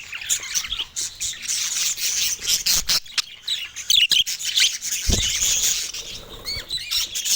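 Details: Baby budgerigar calling for the first time. Rasping, hissy squeaks run almost continuously, broken by sharp clicks and knocks, with a few short upward chirps near the end.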